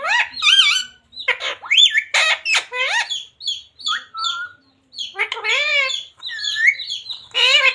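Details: Talking parrot chattering "radhe radhe" almost nonstop: quick strings of voice-like syllables that rise and fall, interspersed with sharp high squeaks and short clicks, only brief pauses between bursts.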